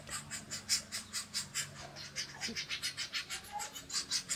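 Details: A pair of golden-tailed woodpeckers nesting in a fishtail palm near a house, male and female feeding their young, with a steady run of high, hissy, rasping notes, about five a second, over a low background hum.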